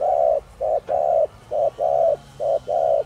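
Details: Spotted dove of the Thổ Đồng voice type, cooing to excite wild doves: an even, rapid series of mellow short and long coo notes in paired rhythm, with a low hum underneath.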